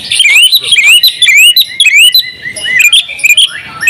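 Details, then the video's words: Oriental magpie-robin, a champion bird, in 'buka paruh' full 'isian' song: quick series of bright upward-swooping whistles, about two per second, mixed with dense high chirps and trills. "masteran kacer juara buka paruh full isian ngobra"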